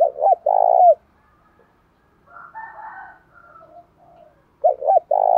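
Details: Spotted dove call meant to urge birds to fight and to stir decoys. Deep coos of short double hoots and a drawn-out falling note open and close the stretch, with a fainter, higher, rougher bird call in between.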